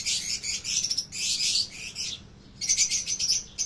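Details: Fischer's lovebirds in a breeding aviary, opaline and parblue colour forms: bursts of shrill, high chattering chirps in quick runs, pausing briefly before resuming, with no other clear sounds.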